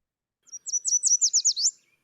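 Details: A Yellow Warbler song, one of the birds found along New York's Finger Lakes Trail, played back: a quick, bright phrase of about nine high, sweet notes slurring up and down, all within just over a second.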